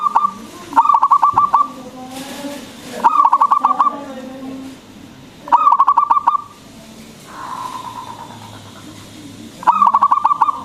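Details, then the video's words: Local zebra dove with a loud, frequently singing voice, used to provoke other doves into answering; four rapid stuttering coo phrases, each a quick rolling burst, repeated about every three seconds with soft humming tones between. "PERKUTUT LOKAL GACOR SUARA BESAR ISTIMEWA PANCINGAN BURUNG PERKUTUT AGAR BUNYI"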